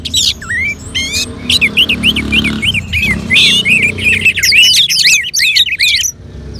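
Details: A captive orange-headed thrush (Geokichla citrina), coaxed to sing with colony bird sounds, sings a fast, varied stream of bright whistled and chattering phrases, rising and falling about twice a second, with faint traffic rumble beneath.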